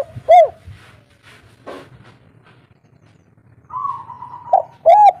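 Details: Local Indonesian spotted dove giving its 'kuk 3' call, used as a lure to prompt other birds to call back: soft, low arched coos with harmonics, one near the start and two close together at the end, with a steady tone between and a faint low hum.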